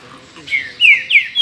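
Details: A captive pet green-winged saltator sings loud, clear whistled notes, each sliding downward, three or four in quick succession over about a second; the owner's other cage birds, a bicudo and a curió, are kept nearby.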